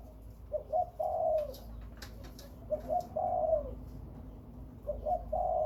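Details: Spotted dove, Khmer and Malay breeding birds, giving three evenly spaced coo phrases, each two brief rising notes followed by a long, mellow, down-sloping coo, over a low steady hum.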